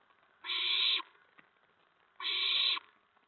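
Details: Owlets at a nest around 8 PM on April 19, 2017, as adult owls deliver food. Two loud, harsh, breathy screech bursts, each over half a second long and almost two seconds apart, with a quiet gap between.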